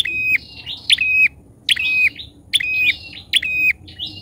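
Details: Loud, persistent lure call of a bar-winged prinia used to attract wild birds: abrupt high chips each falling into a brief buzzy trill, given roughly once a second in uneven bursts over a quiet background.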